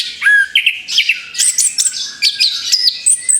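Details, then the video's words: Orange-headed thrush just past its moult, readying to sing again, delivering a rapid varied song of sharp whistled notes, slurred upsweeps and high trills in quick succession. "TERAPI ANIS KEMBANG BARU LEPAS BULU, SIAP BUKA PARUH LAGI"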